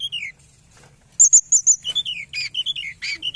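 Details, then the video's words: Tledekan gunung, a forktail, in a lure recording for trapping: after a short opening slur comes a run of four sharp, high piping notes, then a busy stream of descending shrill whistles and chips. "Pancingan Ampuh Tledekan gunung"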